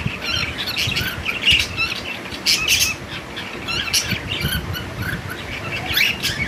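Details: Cockatiels giving harsh squawks and chirps in irregular bursts, loud and high-pitched, with constant background chatter.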